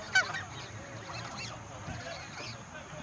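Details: During feeding in the countryside, a large flock of more than a hundred geese calls with a loud opening honk followed by softer, scattered nasal honks over a faint continuous high tone.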